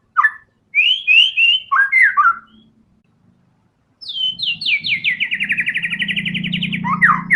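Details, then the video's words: White-rumped shama bursting out isian in gacor tembakan style. Jumbled whistled phrases, a pause, then a long fast series of descending repeated notes, over a steady low hum in the background. "TEMBAKAN MURAI BATU GACOR BONGKAR SEMUA ISIAN FULL FIGHTER"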